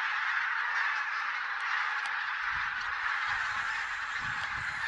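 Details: Geese gathered in Silesia during a mid-November 2016 count, a flock that may hold Barnacle, White-fronted, Greylag and Bean Geese, raise a continuous chorus of countless overlapping honks, loud and even, with faint low rumbles late on.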